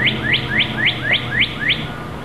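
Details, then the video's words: Robin fledglings leaving the nest and learning to fly: seven sharp, rising chirps given in quick succession, about three per second, over a soft steady background hum. "Robins learn to fly"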